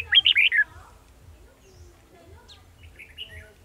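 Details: Red-whiskered bulbul decoy bird singing in a trap on 18 December 2020: a quick burst of four loud, slurred whistled notes in the first half-second, then fainter scattered chirps over low background hum.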